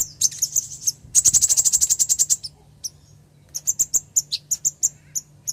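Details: Female ruby-cheeked sunbird calling to a male, giving a fast run of about a dozen high, sharp chip notes, then scattered single chirps and a lively run of bright, thin notes.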